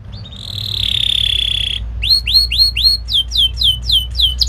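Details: Canary training song for young canaries, Indonesian style called kenari gacor ngerol: a long steady whistle near 4k, then rapid repeated downward-sweeping chips, about four per second.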